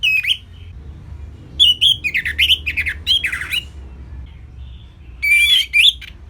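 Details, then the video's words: Simple orange-headed thrush song kept as training material for songbirds: short bursts of rich, warbled whistles with sharp slurs, separated by brief silences, ending in a loud looping phrase. "Kicauan Simpel ANIS MERAH Gampang Untuk Ditiru Sebagai Masteran"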